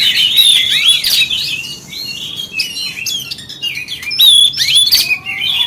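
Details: Oriental magpie-robin singing a lure meant to provoke rival magpie-robins: loud, varied whistles, quick upslurred notes and scratchy chirps, delivered in rapid busy bursts with brief pauses.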